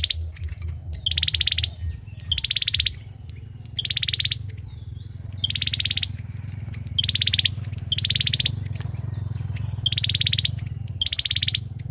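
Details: A male olive-backed sunbird sings eight short, fast, high trills at roughly even intervals across twelve seconds. Steady low mechanical hum and light background noise throughout.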